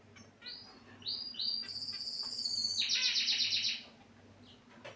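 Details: Finches kept in a cage: quick nasal chirps step upward in pitch, then a loud, buzzy, fast trill holds for about a second before stopping, leaving a steady low hum and occasional faint chirps.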